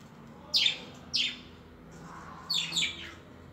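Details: Budgerigars from 2021: three sharp, high, downward-sweeping chirps, two close together early on and a doubled chirp near the end, over a faint low hum.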